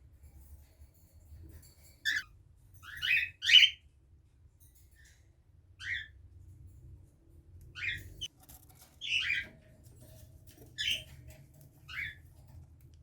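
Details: A 21-day-old baby cockatiel gives short, scratchy, high chirps at irregular intervals over a low background hum.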